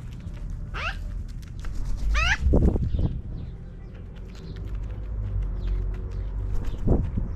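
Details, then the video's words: Magpies in a tree, some flying down: two clear harsh, stacked descending calls early on, followed by low thuds and fainter noises over steady outdoor background hum. "Magpies In Tree"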